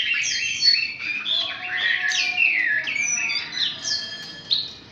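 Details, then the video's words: Chinese hwamei, a wild-caught bird (họa mi bổi) filmed at close range, singing a loud, rich, continuous stream of varied whistled phrases with sweeping slurred notes and rapid trills, barely pausing between phrases. "Cận cảnh quay họa mi bổi"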